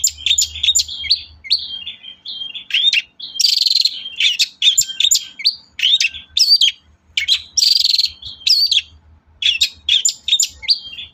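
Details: Long-tailed shrike singing energetically, a lure recording to provoke other shrikes: a continuous, varied warble of whistled and buzzy notes, interrupted by loud, harsh, rasping bursts.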